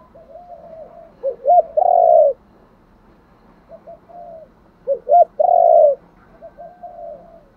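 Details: Spotted dove luring call, the phrase heard twice about three and a half seconds apart: soft hum, two quick rising coos, then a long, strong coo, with gentle murmurs between.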